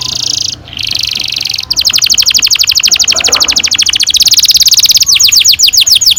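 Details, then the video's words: Canary in long rolling song, used as a lure for young canaries: a buzzy sustained phrase, then a fast high trill of rapid repeated pulses, ending in quicker sweeping whistles. "Kenari gacor NGEROL PANJANG cocok untuk PANCINGAN KENARI PAUD bikin BURUNG KENARI GACOR PANJANG"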